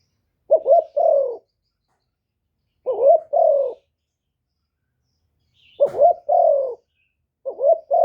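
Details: Decoy spotted dove luring wild doves: clipped double-noted coos followed by a longer descending coo, phrases separated by two-second gaps, with a faint high chirp and a click once.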